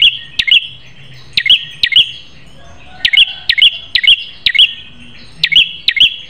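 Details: Fierce, sharp prinia song meant for training caged birds: snappy paired notes, each a crisp click then a bright short whistle, in irregular bursts of two to four pairs separated by short gaps.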